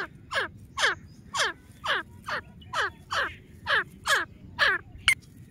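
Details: Grey francolin, locally called teeter, calling in a loud harsh series of about ten rising-falling notes, each roughly half a second apart, steady and repetitive over low background hum.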